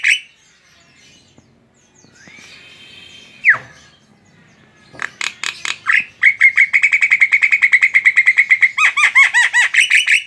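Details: Javan myna (jalak kerbau) singing its chattering ngoceh song as a lure for other mynas: scattered whistles and a rising slur, then a long rapid stream of buzzy repeated notes ending in arched, ringing notes.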